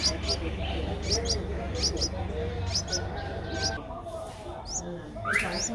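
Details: Streak-eared Bulbul chick aged 10 days in Ubon Ratchathani, Thailand, 12 April 2023; high squeaky upslurred chirps come in paired bursts, then pause before a few louder rising notes, with a low background hum.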